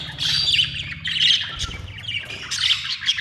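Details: Budgies keep up steady, chattering warbles, dense scratchy chirps and squeaky notes running almost without pause over a soft low hum.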